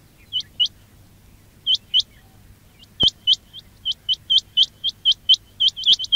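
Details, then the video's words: Quail call used to attract birds for trapping: sparse paired high rising chirps at first, then a quickening run of clipped upswept notes, about four per second, with one loud click. "quail batair ki awaz"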